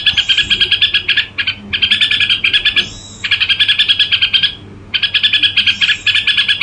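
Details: Red-whiskered bulbul singing in the gù style: dense bursts of rapid, buzzy chattering notes, about eight per second, in runs of one to one and a half seconds broken by short pauses, over a faint low hum.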